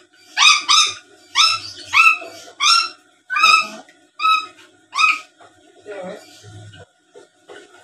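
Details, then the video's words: Black-capped lory chattering as a lure to draw responses from other birds: a series of about ten rich, nasal, upward-swept squawks, roughly one every half second, then softer mutters, with a faint low hum. "Suara Asli Burung Nuri Paltem Gacor Pintar Ngomong dan Ngoceh² Buat Pancingan"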